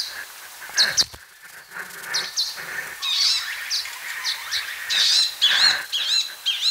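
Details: Palestine sunbird delivering high chirps that build into rapid, wavy trilled phrases, over a steady midrange background hiss with a brief knock near the start.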